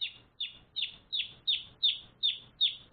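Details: Pet baby chickens one day old chirping: nine bright, high peeps, each sliding downward, spaced evenly about a third of a second apart.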